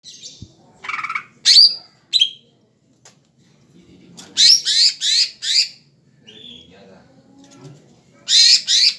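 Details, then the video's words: Greater green leafbird, a kept, tame bird, singing in loud rich phrases: sharp downslurred whistles, then a run of four harsh buzzy notes, with quiet gaps between bursts and faint background murmur. "cucakhijau gacor"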